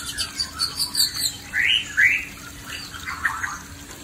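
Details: Male white-rumped shama confronting a fierce female, giving a quick run of high chirps followed by two loud rising whistled slurs and softer fading notes, over a faint steady hum.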